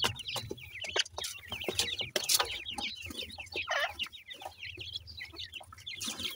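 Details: Young partridges, locally teetar, busy feeding; many chicks give dense, high, slurred cheeping calls almost without pause, mixed with scattered pecking taps and scuffling.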